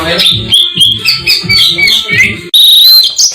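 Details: East Java black-breasted Oriental magpie-robin in a masteran recording: sweet whistled phrases over repeated low tonal sounds, ending in a long, bright, sustained high whistle.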